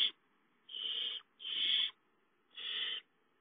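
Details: Owls at a nest as a gopher is brought in as prey; three harsh, hissing screeches of about half a second each, separated by short silent gaps, with a brief click at the start.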